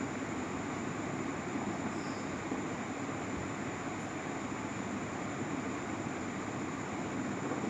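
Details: Steady hissing rumble like vehicle or aircraft noise runs throughout, with a faint high tone and no animal sound.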